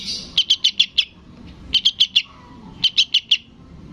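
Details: Sooty-headed bulbul nestling begging its parent: three rapid bursts of high, clipped chirps, five then four then four, in a quiet setting.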